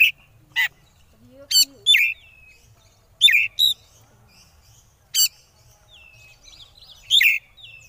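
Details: Oriental magpie-robin lure song in the 'konslet' style, meant to set rivals singing: scattered sharp, high chirps and abrupt harsh clicks, some in pairs, separated by short silences, with a few faint lower whistles.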